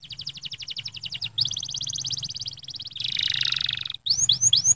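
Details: Canary stimulating song for other canaries: fast, high repeated-note trills and a harsh buzzy rolled phrase, then sweeping slurred notes, over a steady low hum.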